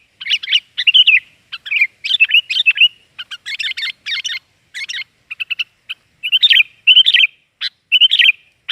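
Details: Busy sooty-headed bulbul chatter used as a lure sound: clustered harsh chirps and warbled slurs in quick groups, brief gaps between bursts, clean background.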